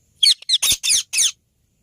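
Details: Green rose-ringed parakeets kept in an aviary utter a string of five harsh, grating screeches, each short and noisy, close to the recorder with no other sounds.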